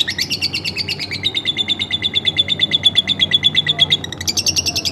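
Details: Pet lovebird kept at home, in a long rapid chattering trill of buzzy notes, about two per second-tenth, sliding from high to slightly lower pitch then jumping back up near the end; faint background hum.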